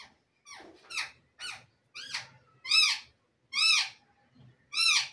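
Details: Green talking parrot kept as a pet, voicing Urdu and Hindi speech: a series of about eight loud, nasal, arching syllables spaced roughly half a second apart, with short silences between. Heard in a small room.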